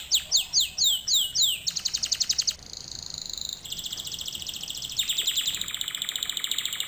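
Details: Canary song as a lesson for other canaries: swooping whistled notes, a quick rattle, a soft steady tone, then long fast trills at mid and high pitch.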